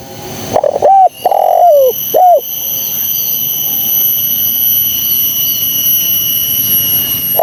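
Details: Spotted dove lure call for trapping: one clear phrase of a short double coo, a long falling coo and a brief closing note, followed by steady high-pitched electrical whine and background noise.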